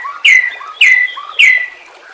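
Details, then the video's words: Three identical loud whistled notes from a white-rumped shama, each sliding sharply downward and repeated about every 0.6 seconds, from a recording played to train captive birds. "Murai batu FULL NEMBAK dan BONGKAR ISIAN"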